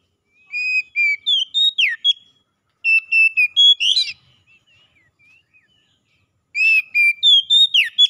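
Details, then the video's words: Oriental magpie-robin song played to help captive birds recover and sing readily: loud, clear whistled phrases of fast repeated notes, some rising or sliding, in three bursts separated by brief pauses with soft twitters. "KICAUAN TERAPI PEMULIHAN SEGALA MASALAH KACER CEPAT GACOR"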